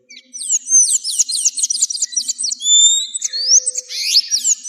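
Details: Sayaca tanager song from Argentina, meant for teaching caged birds: a lively, squeaky series of rapid looping high notes, followed by drawn, thin whistles and a scratchy closing flourish.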